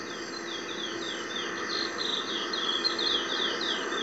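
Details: Chestnut-bellied seed finch in natural habitat sings a run of short, clear, downslurred whistles, about three or four a second, over a steady background hiss.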